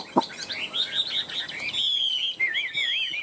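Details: Competitive song of a caged Chinese hwamei kept three years: a sharp click, then bright rippling phrases climbing higher, a long level whistle, and a fast wavy trill that rolls up and down.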